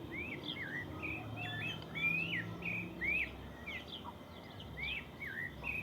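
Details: Lively morning chorus in the countryside: wavering, looping whistles that rise and dip, repeated in quick succession with softer notes between, over a low steady hum.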